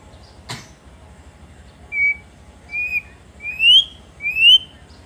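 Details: White-rumped shama singing actively to provoke rival shamas: a sharp click, then four clear, high whistled notes, each rising and longer than the last, spaced about a second apart.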